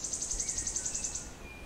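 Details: Wood warbler song dated 06-07-16: about a dozen sharp, very high notes repeated evenly and quickly, then trailing off, with faint lower whistles from other birds singing nearby.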